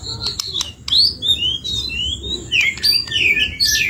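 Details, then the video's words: Energetic white-rumped shama song full of variations, meant as a lure for other birds: rapid high whistled notes, slurred upward and downward sweeps and sharp chips in quick succession, with low background noise. "burung murai gacor dor full fariasi || cocok buat pancingan"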